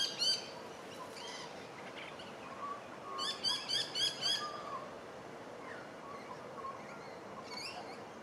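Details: Crimson rosella (Platycercus elegans) feeding on shrubs beside Gardiners Creek, Melbourne, Australia, 27 July 2023, giving short, bright, harmonic chirps, including a quick run of about five notes, over soft background hiss.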